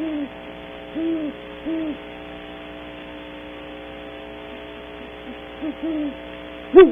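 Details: Faint low hoots from a great horned owl pair at a cavity, Audubon Starr Ranch, California, early morning, spaced with long quiet gaps and a sharp louder note at the end.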